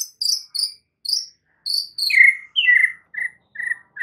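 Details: Murai batu, the white-rumped shama, sings a full fill-in training song: high buzzy notes in short bursts, then a run of clear whistles dropping step by step to lower, repeated slurred notes.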